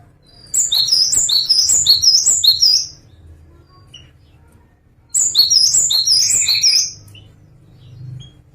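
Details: Java sparrow song: two bursts of quick, high, tinkling chirps tumbling in stepped descending runs, each burst lasting about two and a half seconds with a quiet gap between, over a faint low hum.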